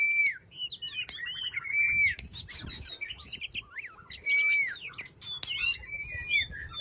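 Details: Caged Oriental magpie-robin pouring out a calm, continuous song to stir a silent bird into singing: dense high chatter, buzzy trills and rising and falling whistles, with a few clear sustained notes.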